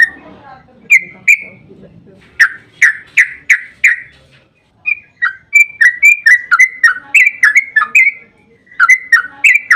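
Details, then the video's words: Yellow-vented bulbul giving a long 'ropel panjang' song used to trigger replies from other bulbuls; spaced liquid notes at first, then quickening into a continuous chain of bubbly, up-and-down chirps. "Suara burung trucukan GACOR ROPEL PANJANG Pancingan ampuh buat trucukan"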